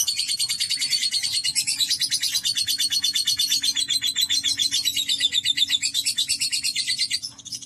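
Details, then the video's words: Lovebird ngekek: an unbroken, rapid stream of shrill, scratchy chattering notes held for over seven seconds, fading out at the very end. "Terapi Burung Lovebird Agar Ngekek Panjang"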